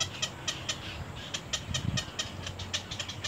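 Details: Young little egrets in their nest, biting at the parent: scattered clicking ticks a few per second, some doubled, over a faint low drone and soft rustling.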